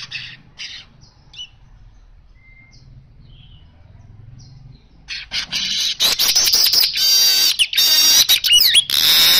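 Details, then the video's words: After quiet low rumbling, a baya weaver launches into loud rasping buzzy chatter with rapid clicks and a swooping whistled note, continuing to the end. "Burung kicau Manyar gacor suara asli"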